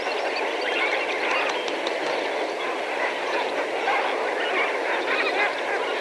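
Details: Lesser Flamingos, several thousand together, heard from medium range: a continuous, dense gabble of nasal honks, swelling slightly in places, with no gaps in the chorus.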